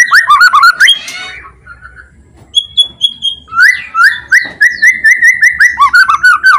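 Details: White-rumped shama with loud song and loud rattling notes used to stir silent shamas into singing; rich whistled phrases, a short pause, then a steady run of clear upslurred whistles repeated roughly every third of a second.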